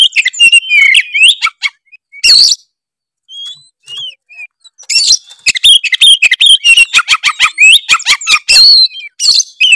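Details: Oriental magpie-robin, Tretes type, singing energetically to provoke rival birds: fast runs of sharp whistles and rasping notes, a quieter gap in the middle, then a dense, rapid stream of varied chirps.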